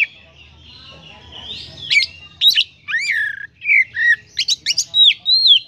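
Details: Oriental magpie-robin (black magpie robin) sings loud, varied phrases of clear whistles with sharp upsweeps and falling slurs.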